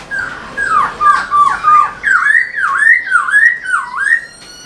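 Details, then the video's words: Singing Black-throated laughingthrush, tail dancing, meant to rouse caged birds: rolling whistles that dip and rise in a regular looping pattern, around seven bouncing phrases, clear and strong. "Khướu bạc má HÓT MÚA ĐUÔI cực sung"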